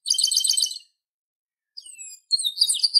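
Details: Song of the chestnut-capped blackbird, known in Brazil as papa-arroz or xexeu-de-lagoa. A fast pulsing rattle is followed by a falling whistle and then a harsh, buzzing trill.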